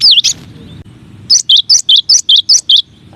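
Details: Cinereous tit masteran song variation, one of nine: a looping whistled opener, then seven rapid, evenly repeated two-part chirping phrases.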